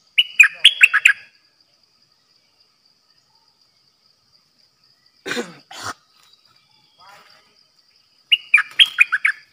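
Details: Decoy red-whiskered bulbul singing dok taeng style phrases of bubbly, rising and falling whistles at the start and end, with two short rough noises like a cough in the quiet gap between them.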